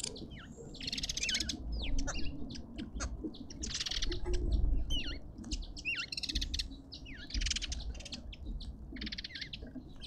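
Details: Arrow-marked babblers in a suburban garden in Pretoria, South Africa, several birds chattering together in an almost continuous overlapping stream of harsh, nasal notes over a steady low background rumble.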